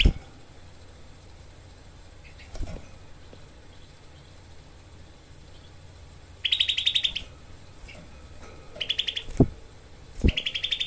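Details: Grey-cheeked bulbul used as a songbird tutor. Three short, dense bursts of harsh, rapid 'tembakan' notes are spaced several seconds apart, with occasional low thumps and quiet gaps between.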